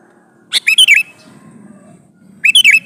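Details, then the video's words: Sooty-headed bulbul male calling for a female, giving a sharp note then three quick liquid slurred notes, repeated about two seconds later over faint low hum. "suara burung kutilang jantan memanggil betina"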